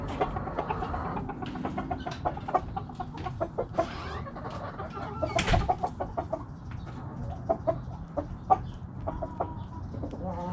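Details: Backyard hens clucking in a flock, many sharp, short clucks scattered through the clip, some rising into higher squawking notes, over a low background rumble.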